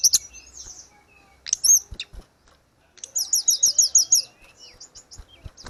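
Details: Grey-cheeked bulbul song meant for training caged birds that have gone quiet. Scattered high chips and a brief shrill phrase, a pause, then a rapid series of ringing, repeated high notes, fading into softer chatter.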